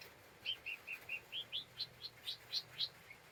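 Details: Lesser green leafbird with unsettled temper, calling as a lure for other birds: a series of about eleven slurred notes, some rising, evenly spaced, quiet against steady background hiss and a low hum.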